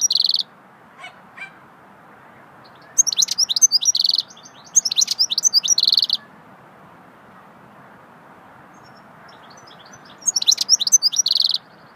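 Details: Swittey goldfinch song in four separate bursts over twelve seconds, each a dense run of high twittering and buzzy trilled notes, separated by long silent gaps.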